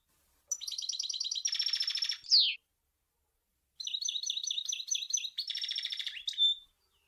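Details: Sour el gouzlane style song from a European goldfinch: rapid rolling trills, a steady buzzy rattle and a sharp descending note, repeated after a short pause as a second trill-and-buzz phrase ending in a clipped whistle.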